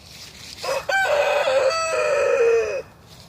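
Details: Morning crow of a rooster at wake-up time, one loud drawn-out call of just over two seconds, broken into a short first note and a long, steady, slowly falling strained phrase.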